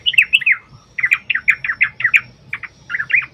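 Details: Yellow-vented bulbul pouring out fast, liquid, bubbling phrases almost continuously, each note sliding down in pitch, sung as bait to prompt replies from other bulbuls.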